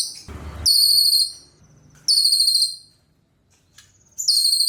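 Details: Three high-pitched trilled bursts from a cililin, each sharp and ringing, with quiet stretches and a faint short note between them.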